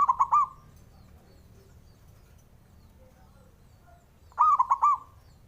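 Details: Male zebra dove calling to provoke rivals: two short phrases of rapid, soft, rolling coos, one at the start and one about four seconds later, with quiet low hum between.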